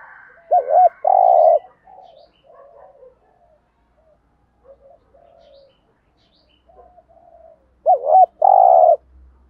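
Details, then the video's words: Decoy spotted dove cooing in the thúc gù and gáy gọi styles, used to rouse wild doves: two loud paired phrases, each a short hooked note then a longer level coo, at the start and near the end, with soft murmurs between. "thuc gu chim cu gay tieng gay goi cu gay kich boi. cu mồi thúc gù"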